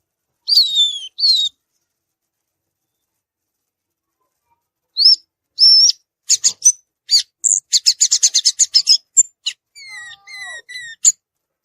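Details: Violaceous euphonia singing in the wild: high, thin whistled notes and sliding tones, then a rapid run of sharp ticking and chattering notes, ending in descending whistled phrases; no other sounds.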